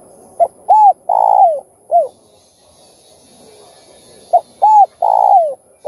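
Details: Spotted dove cooing, with the urging, cooing and calling styles, played to stimulate other doves. Two phrases about four seconds apart, each a short note, two arched mellow coos and a long drawn coo falling at its end, over faint steady hiss.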